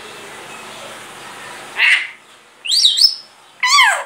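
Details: A pet grey parrot mimicking speech and coughing gives three short bursts of harsh, warbling voice-like sounds, each under half a second, after a stretch of faint background hiss.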